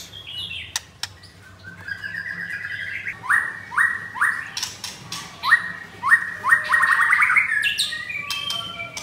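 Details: White-rumped shama, blorok type, double-ringed and caged at a Kemayoran, Jakarta kiosk, singing on a Thursday morning, 19 May; a steady series of sharp rising whistled upslurs, several in quick succession, with short scratchy notes between.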